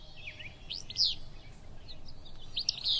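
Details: Willow flycatcher (Empidonax traillii) singing its sneezy, burry 'fitz-bew' twice, about two seconds apart, on a cool morning at the Kern River Preserve near a river, over faint low rumble.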